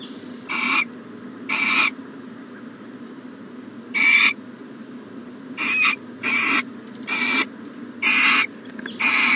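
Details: Owls at a nest box in the morning, recorded 14 January 2020. Scattered breathy, rasping hisses, about eight of them, come irregularly between quieter pauses.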